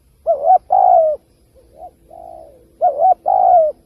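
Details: Spotted dove coo phrase in kích bổi style for trap lures: a rolling double coo, a long drawn coo, quieter muffled coos, then the phrase again, with faint low background hum.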